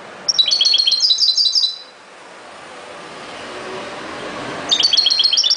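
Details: Fast, chattering, high-pitched twitter of a European goldfinch lasting about a second and a half, then a lull with faint background noise, and the song resuming at the end.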